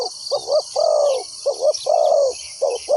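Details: Decoy spotted dove calling to attract wild doves for trapping: repeated low coos, paired short looped notes followed by a longer sustained coo, the pattern cycling roughly once a second, over constant high-pitched background hiss.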